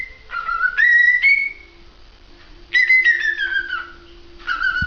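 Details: Whistled song of a cockatiel, with loud tonal phrases that dip, then step up and glide down, separated by quieter gaps, and a faint steady hum in the background.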